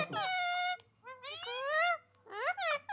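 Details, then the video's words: Pet parrot calling: three loud, drawn-out, nasal squawks with rich harmonics, each bending upward and then levelling off. Short silent gaps separate them, and a faint low hum sits underneath. "parrot voice"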